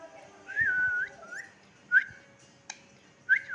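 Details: Fourteen-year-old pet parakeet whistling in time with people, copying human whistling: four short clear whistles, each sliding up then holding steady, spaced about a second apart, with a soft click between and quiet room noise.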